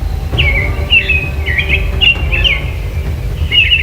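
A European robin sings a run of high, thin, warbled phrases that rise and fall, with a low hum and faint music underneath.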